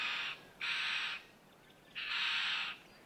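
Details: White-winged chough in a group at Gluepot Reserve, South Australia's mallee outback, giving three harsh, grating, rasping calls of about half a second each with short gaps.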